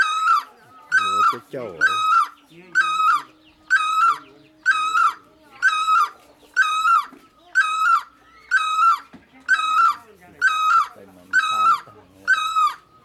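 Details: Long steady series from a great barbet: loud, harmonic-rich, wailing notes delivered almost exactly once per second, about thirteen in a row, over faint low background sounds.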